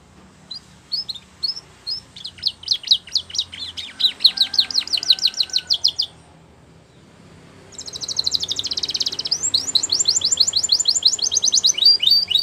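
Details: Belgian canary song for training, a champion singer: long fast trills of high repeated notes, a brief pause midway, then a dense buzzy rolling trill continuing to the end.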